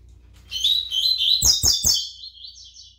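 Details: Pardo double-collared seedeater singing a loud, fast, jumbled high warble, punctuated by three sharp clicks, easing into an even, buzzy trill at the end.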